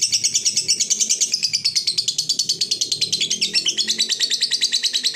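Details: Long ngekek from a fighter lovebird, sung to provoke rival birds: an unbroken, rapid scratchy chatter of pulses over five seconds, pitch dipping slightly midway, with a faint low murmur beneath.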